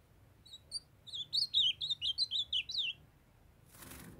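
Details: Ultramarine grosbeak from Brazil, a young male singing while a female calls to warm him up: a quick phrase of about nine sweet, slurred whistles, rising and falling, delivered in under two seconds, then a brief soft rush of noise.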